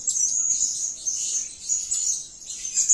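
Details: Blue-crowned hanging parrot, locally serindit, chattering: shrill, high, rapid squeaky notes run together into a near-continuous thin twitter with small dips in loudness.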